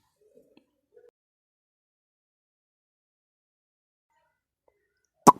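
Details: Near silence broken by a few faint soft taps, then one sharp loud click just before the end.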